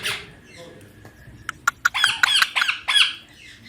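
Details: Baby ringneck parrot kept at home as a talking pet utters a soft scratchy note, sharp clicks, then a rapid string of harsh, grating squawks that fade out.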